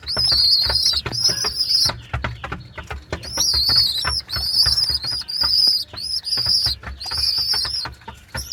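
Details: Two baby pigeons (squabs) squeak their 'chu-chu' call: shrill, steady, high-pitched squeals about half a second to a second long, repeated in quick bursts over clicking and fluttery rustles.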